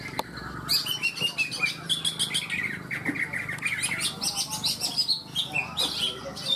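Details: Greater green leafbirds singing at a songbird competition in the leafbird class in Malinau, North Kalimantan. Dense, overlapping chirps and slurred whistled phrases rise and fall continuously. Several birds appear to sing at once, with faint background noise.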